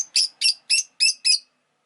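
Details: Five harsh, raspy chirps from a Rosy-faced lovebird, evenly spaced about a quarter second apart, loud and high-pitched, then quiet.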